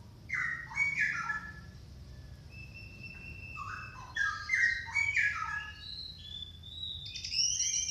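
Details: Orange-headed thrush lure song for prompting reluctant caged birds to sing: varied phrases of whistled, slurred notes jumping between low and high pitch, some long level whistles and buzzy high flourishes, over a low steady hum.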